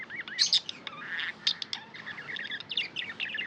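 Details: Pet budgies twittering: small wavy whistled phrases and quick chirps, a couple of louder sharp notes early on, soft chattering continuing throughout.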